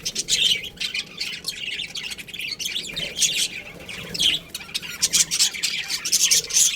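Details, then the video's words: Budgerigar colony calling: overlapping squeaky chirps and short warbled phrases, pulsing in louder bursts every second or so over constant chatter. "Cute Budgies Chirping Sounds"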